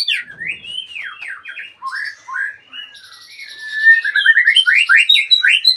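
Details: Magpie-robin, once a contest champion and now retired, pours out swooping whistled notes that rise and fall, a soft buzzy trill in the middle, then quickening repeated slurred whistles.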